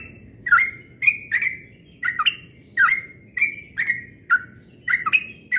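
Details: At dawn, a Yellow-vented bulbul delivers a ropel song of clear, liquid chirps, each note sliding downward, spaced about half a second apart in a steady, lively series against a faint, quiet background.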